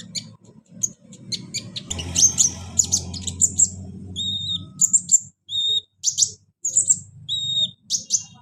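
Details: Kolibri ninja, a caged sunbird, giving high sharp chirps, then clear repeated whistled notes with short gaps, over a low droning hum in the first half.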